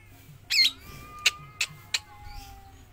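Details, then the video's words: Javan long-tailed shrike that keeps singing non-stop both inside its cage and when released from it: a loud harsh rasp followed by three sharp clipped notes about a third of a second apart, over faint steady tones. "Cendet Jawa didalam dan dilepas dari sangkar tetap gacor non stop"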